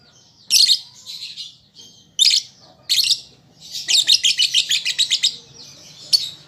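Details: Young lovebird learning to sing, a recording meant to prompt other birds: isolated shrill chirps at first, then a rapid run of about twelve scratchy notes, ending with one more sharp chip.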